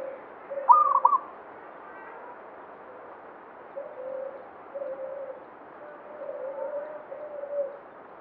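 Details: Local zebra dove in banyumili song style gives one bright, stuttering coo phrase near the start, then softer, lower, drawn-out cooing continues at intervals in the background.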